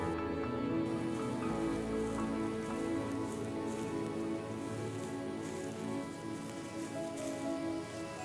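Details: Sustained background music with rain-like patter fills the recording, with no distinct animal call heard.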